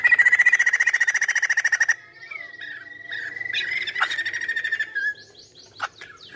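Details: Energetic hwamei song: about two seconds of fast, evenly pulsed notes on a ringing whistle, followed by varied warbled phrases, a sharp accent, and a closing string of short downslurred whistles.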